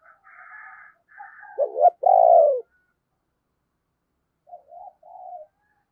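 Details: Decoy spotted dove luring wild doves: faint buzzy higher notes, then a sharp stuttered double note straight into a loud, long falling coo, followed by soft low murmurs.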